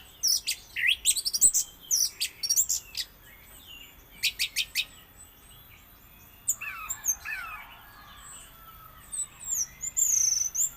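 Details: Orange-headed thrush with raja patah song: clusters of high sharp chips and rattles, then lower slurred whistles and thin high whistled phrases.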